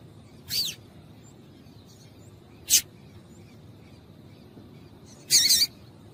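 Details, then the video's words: Three short, high, sharp calls from a female double-collared seedeater, used to stimulate a male to sing, separated by long quiet gaps. "Piado de Fêmea de Coleiro para Esquentar Coleiro frio"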